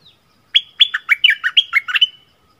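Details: Bulbul song offered as a newly learned double song phrase: a quick run of about eight clear whistled notes, alternately rising and falling slurs, delivered in under two seconds against a silent background.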